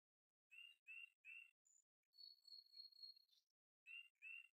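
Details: Kingfisher, March 2023, Canon R7 with 100-400mm lens: three harsh, ringing notes in quick succession, a long steady high whistle, then two more harsh notes; otherwise silent background.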